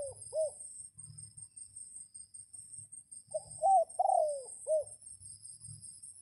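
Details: Red junglefowl rooster used to call wild junglefowl in the rainy period, crowing: a clipped tail of one crow at the start, then a full four-part crow, with a rising second note and long descending third, over a steady high-pitched drone.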